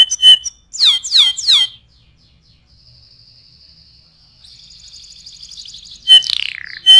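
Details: Canary song offered as tutoring material for other birds: a loud whistle, three swift downward-swept notes, a quiet high drawn-out trill, then a harsh falling slur and a final whistle.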